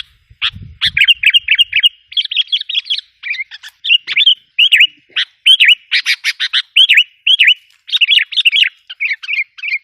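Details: Busy sooty-headed bulbul calling, used to rile up wild bulbuls: dense strings of liquid, slurred notes and sharp chips with almost no pause, plus a faint low thump near the start.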